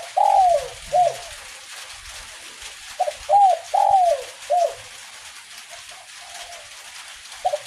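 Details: Spotted dove of the kuk 1 type singing during light rain, two full phrases of soft downslurred coos, each phrase a stuttered lead-in then three to four mellow notes, with a quiet gap and faint trailing coos over rain hiss.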